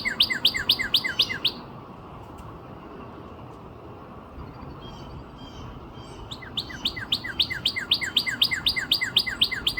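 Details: Near Nashville, Tennessee, on April 17, 2026, a northern cardinal sings rapid runs of loud, downslurred whistles about four per second, pauses for several seconds amid quiet background noise, then resumes with a long even series of the same notes.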